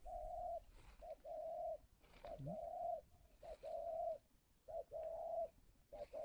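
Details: Spotted dove kept at a bird farm in Ba Vì, Hanoi, Vietnam, in calling-coo style: a short note then longer steady hollow coos, the pattern repeated about every two seconds over quiet background; one brief human murmur.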